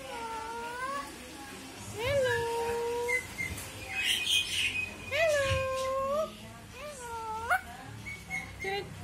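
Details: Talking pet bird producing voice-like, tonal phrases with steady, slightly bending pitch, each held about a second, in several separate utterances, with a brief higher noisy burst in the middle.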